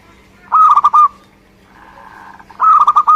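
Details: Zebra dove, a local Indonesian bird, giving two bursts of rapid bubbling coos, each a string of four or five soft pulsed notes, separated by a quieter murmuring note; low steady hum in the background.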